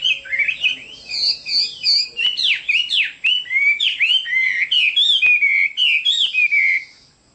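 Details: Chinese hwamei pouring out a varied song: high sweet notes, then lower slurred whistles and downward swoops, delivered rapidly and fading out at the end.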